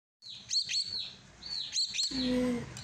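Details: Baby common myna begging while being hand-fed: shrill, rasping high calls in drawn-out bursts, a pair near the start and another pair after a pause, then a low steady hum at the end.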